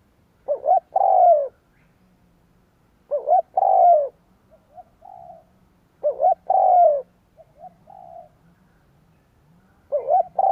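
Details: Spotted dove cooing as a lure for wild doves: four loud phrases, each a clipped double coo and then a long sliding coo, every two to three seconds, with soft faint coos in the gaps and a low murmur.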